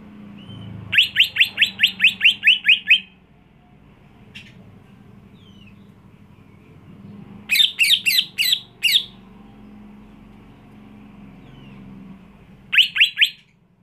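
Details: Greater green leafbird singing in three bursts: a fast run of about ten sharp, rising chirps, a shorter cluster of five loud notes, then a final quick group of three, with quiet pauses and a low background hum between.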